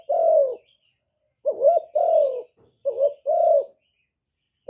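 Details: Spotted dove cooing: a short wavering two-part note followed by a longer, smooth, falling coo, the phrase repeated with brief pauses; low, mellow tones and a quiet background.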